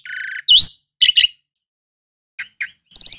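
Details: Asian pied starling giving a sustained buzzy note, a loud rising squeal and two harsh bursts. Soft short notes follow, then a ringing harmonic trill at the end.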